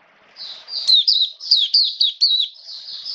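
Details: Oriental white-eye, a caged hobby bird recorded in wet weather, 29 September 2022. One continuous high warbling phrase of about eight rapid, wavering slurred notes over two seconds.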